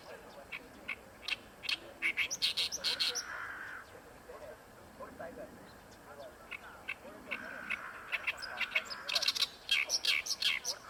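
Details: Oriental reed warbler singing at Ikejima, its strongest song of the year in this area: loud bursts of harsh, grating chattering notes, some rapidly repeated, separated by short pauses, with a lower drawn-out tone between phrases.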